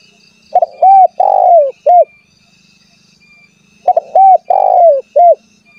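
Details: Calling spotted dove, a lure recording meant to provoke rival doves into calling: two identical four-note cooing phrases about three seconds apart, the soft arched coos separated by silence.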